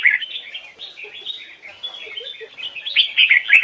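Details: Red-whiskered bulbul, a Vietnamese training bird singing the Hoài Sơn forest double-note style, giving a soft continuous twitter that builds into louder, sharper warbled notes near the end.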